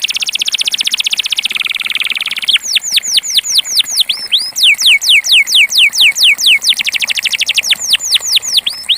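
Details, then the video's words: Pure Belgian canary of the campainha style singing: a fast buzzy trill opening the phrase, then a run of bright, ringing down-slurred whistles repeated about three per second, loud and clear with no other sounds. "Canario belga campainha puro // canary singing"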